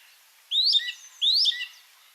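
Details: Song Thrush song played back at a springtime birdsong talk in Monkstown, Dublin: one shrill, urgent whistled phrase with a rising slur and lower trailing notes, delivered twice in quick succession with the same shape each time.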